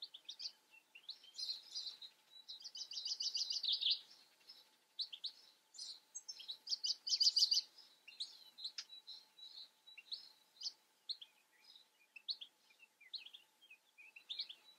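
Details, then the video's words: European goldfinch singing a lively, tinkling twitter of high chirps and short notes. It bursts into a fast buzzy trill of about two seconds partway through, then carries on with scattered bright notes in a quiet setting. "European Goldfinch. Stieglitz"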